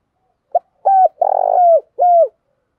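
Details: Spotted dove, a decoy bird with the 'thổ' voice style, cooing to provoke rivals to fight: a short phrase of four low hollow coos, a brief clipped note, a level coo, a longer throbbing one, then a falling final coo.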